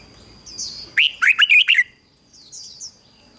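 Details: Decoy red-whiskered bulbul, singing to attract and excite wild birds. A brisk phrase of five or six loud, lilting notes in under a second, framed by soft high chirps and a faint steady whine.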